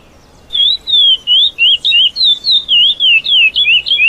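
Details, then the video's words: Caged lesser seed finch singing the classic praia song style used to tutor young birds and improve adult singing: a clear sequence of whistled, wavering notes, each slurring down and up, about three per second after a short quiet start. "Canto para encarte curió praia clássico"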